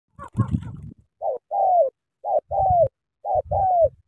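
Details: Spotted dove from Cà Mau, Vietnam, cooing: three two-part phrases about a second apart, each a short clipped note then a longer, smooth, slightly falling coo. Dull rustling thumps at the start.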